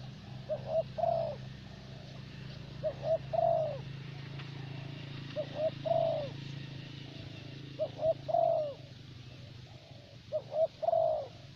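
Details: Vietnamese decoy spotted dove of the 'thổ bầu' type, prized for steady calling: a mellow three-note coo phrase repeated about every two and a half seconds, steady and clear over low hum.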